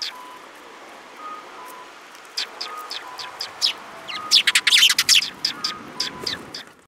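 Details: Sparrows arriving to be fed at a bridge, 18 May 2021: scattered high chirps build into a dense, overlapping flurry of twittering, then thin out again.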